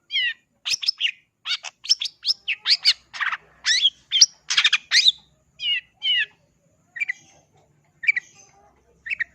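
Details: Long-tailed shrike (cendet) singing in the energetic gacor style: a rapid run of sharp, varied chirps and buzzy notes, densely packed for six seconds, then spaced single rising phrases toward the end; no other sounds.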